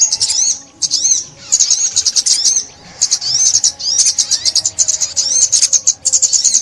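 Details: In 2021 trapping footage an olive-backed sunbird delivers looping, arched whistles mixed with rapid sharp chips in short phrases, each lasting about a second, with brief pauses between them.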